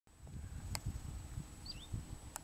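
A chiffchaff gives one brief, thin whistled note that swoops down and then flattens out, unlike its usual rising call, over low wind rumble and a few clicks.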